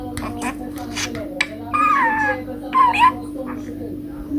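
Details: Talking parrot uttering two short voice-like phrases with sliding tonal contours, set against a steady low hum and faint clicking noises.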